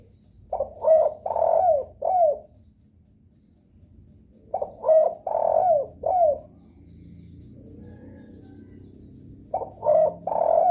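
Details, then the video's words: Spotted dove lure call used to make other doves join in, three cooing phrases roughly every four to five seconds, each with short notes, a long steady coo and a falling final note. "suara pancingan DERKUKU paling di sukai derkuku lain..sekali dengar langsung respon gacor"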